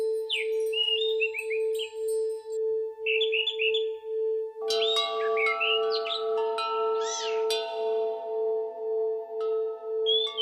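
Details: Orange-headed thrush singing in a therapy recording meant to prompt quiet birds to sing. Rapid runs of sweet whistled notes and trills, then richer varied phrases, set against a constant pulsing bell-like drone.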